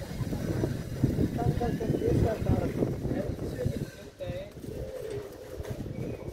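Pigeons give soft, low, rounded coos that rise and fall, repeated over a steady low rumble of background noise.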